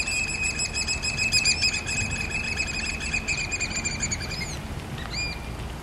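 Black oystercatcher giving loud, shrill piping whistles in a rapid, run-together series for about four seconds, then a couple of single sharp notes, over a low rumble of surf or wind.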